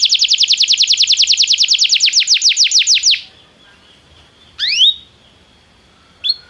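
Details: Belgian canary in training to sing: a high trill of repeated downslurred notes that slows and spreads out after three seconds, followed by quiet and two separate rising whistled notes.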